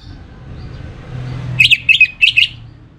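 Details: Orange-headed thrush (anis merah) from Singaraja, North Bali, giving lure song: about six sharp, bright whistled notes in quick succession after a stretch of low engine-like rumble.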